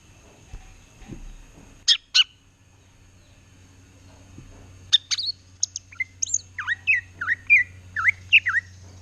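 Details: Greater green leafbird singing actively in a rapid chattering style while facing a mirror: a few sharp high notes, then from midway a string of whistled, downward-sweeping phrases with quick trills, over a steady low hum.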